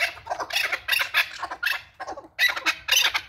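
A male chukar partridge gives loud, harsh, clucking chuck notes in quick rhythmic bursts, several per second, with a brief pause midway.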